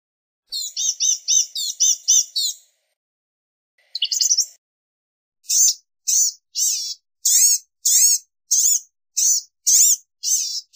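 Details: Blue-gray gnatcatcher opening with a fast chattering run of high notes, a short scratchy burst, then a long even series of thin, wheezy, downslurred notes about twice a second.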